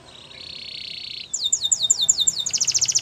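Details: Canary training song: a dense buzzy high trill held for about a second, then a rapid series of sharp descending notes that speeds into a fast rattling trill.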